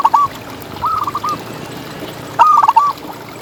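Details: Champion local zebra dove, an actively singing ngalas-style tutor bird: the tail of one phrase, then two gentle low coos, each breaking into a quick rolling series of soft notes, with light steady hiss.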